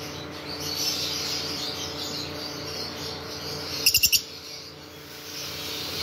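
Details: Lovebird giving a quick burst of four sharp, shrill chirps in rapid succession, over a steady background of hiss and low electrical hum with softer chattering earlier on.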